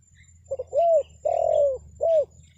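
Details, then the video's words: Close, loud spotted dove calling as a lure for wild birds: a quick double lead-in note, then a swelling coo, a long sustained coo that slowly falls, and a short closing coo. "SUARA PANGGILAN TEKUKUR PIKAT, BURUNG HUTAN PASTI NYAHUT"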